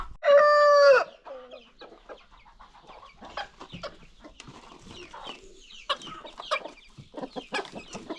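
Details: Free-range chickens on a farm with new baby chicks; a loud, harmonic, drawn-out squawk lasting about a second, followed by a busy mix of softer clucks and thin high peeps from the flock.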